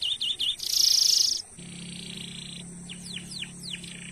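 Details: Looping whistles and a bright high trill from a canary used to stir other birds into song, followed by a lower buzzy hum and faint falling strokes.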